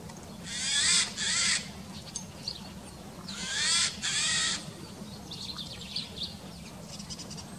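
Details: Eurasian jay outdoors in 2019. It gives two pairs of harsh broadband screeches about three seconds apart, with faint high chirps of small birds after them and a constant low background rumble.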